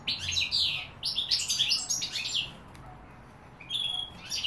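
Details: Goldfinch song of rapid liquid twitters and jangling high phrases in two quick bursts, then a brief lull before a thin high note returns.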